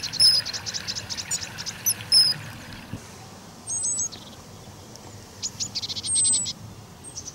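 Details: Common kingfisher at the Donge: rapid strings of shrill, high pulsed notes, then a quieter gap and another run of piercing whistles near the end, with a steady low rustling background.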